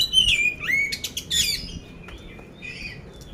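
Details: Competition-ready caged poci oriental magpie-robin from Magelang, Central Java, singing coarse-fill material: a loud, clear descending whistle, then rapid harsh rattling notes, fading into softer scratchy sounds.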